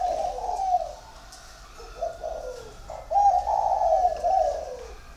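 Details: Male dove, 1.5 years old, cooing strongly for competition: loud throaty rolling coos in phrases, the last one longest, with a constant low hum behind.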